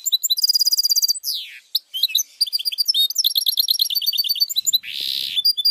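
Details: Goldfinch mule song for training: a fast, evenly pulsed trill, a descending slur, then varied twittering phrases and quick chattering notes, ending in a harsh buzzy rasp before more twitters.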